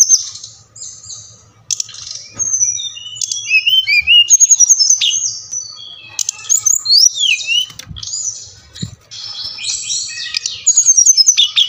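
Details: Brown-chested jungle flycatcher of Bali, a lure for lazy captive singers: after a short pause, a lively stream of varied whistles, quick downslurs and chattering notes with a few clicks, backed by a faint low hum.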